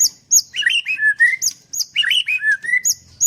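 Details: Murai batu (white-rumped shama) at a bird farm in Kendal in 'nembak' song: high looping whistles mixed with lower rolling, slurred notes, two phrases in quick succession.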